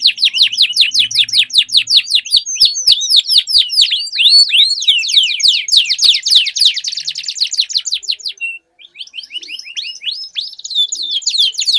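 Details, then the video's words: Canaries in a singing duel, pouring out long rolling song: dense, rapid trains of bright, sweeping high notes repeated almost twice a second, with a momentary break before the rolling resumes. "Duel Burung Kenari Suara Merdu Ngerol Panjang || Pancingan Ampuh Kenari Macet Langsung Gacor Ngerol"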